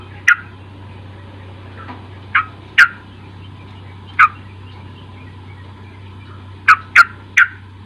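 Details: Sooty-headed bulbul song meant to lure a young untrained bird into singing: short, punchy, liquid notes spaced irregularly, a cluster of three near the end, over a persistent low hum.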